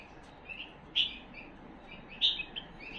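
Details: Tame Himalayan bulbul kept as a pet: a few short bright chirped notes, two louder clear whistles about a second apart, over steady low background hiss.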